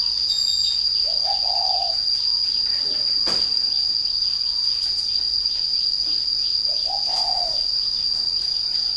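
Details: Spotted dove kept by a breeder. Two low, soft cooing phrases about six seconds apart, partly masked by a steady high insect-like whine and constant hiss, with one sharp click between them.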